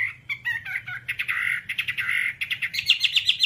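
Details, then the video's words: Chinese hwamei song for training kept birds: varied clear whistled notes, some buzzy, speeding into a rapid series of rising high whistles at the end, with faint low hum underneath. "Masteran Whambie nonstop 1 jam"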